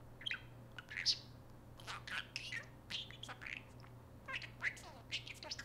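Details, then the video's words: A prolific talking pet parakeet chatters indoors in rapid, scratchy bursts of mimicked speech, high and chirpy, with short pauses between the phrases, in the same session where it calls out "Hey Siri" and activates an iPhone. "Parakeet activates Siri on iPhone - prolific talking parakeet!"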